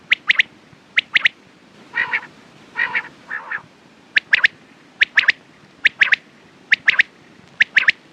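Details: Repeated quail triplets, sharp and clicky, one note then two quickly, run steadily through the recording, broken in the middle by three lower, nasal, harmonic honking calls.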